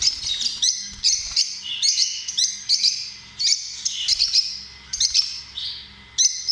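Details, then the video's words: Rhythmic, shrill lovebird chatter: loud squeaky chirp bursts recurring about twice a second over continuous high twittering. "Amazing sound of love birds"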